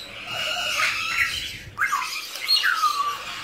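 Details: Drawn-out, scratchy calls bend downward in pitch, followed by shorter screeches, from hand-reared blue-winged macaws: a captive young male and female hatched in 2017.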